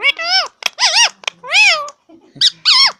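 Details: Pet ringneck parrot, an Indian green parrot, talking in loud, shrill, rapid syllables that rise and fall in pitch, sounding like squeaky word-like phrases with brief gaps between them.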